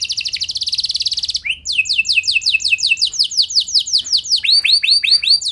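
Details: Canary in long vigorous song meant to prompt other canaries to join in: a fast buzzy trill, then a chain of clear downslurred notes about three per second, ending in arched whistles.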